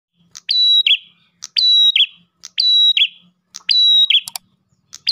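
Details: Ash tailorbird singing vigorously, used as a lure for other tailorbirds: a sharp click, a steady high whistle, then a buzzy falling note, the phrase repeated about once a second, with quiet background.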